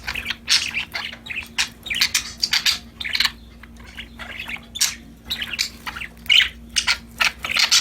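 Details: Several happy parakeets chatter at once while playing, a dense, continuous mix of quick scratchy chirps and squeaks over a steady low electrical hum.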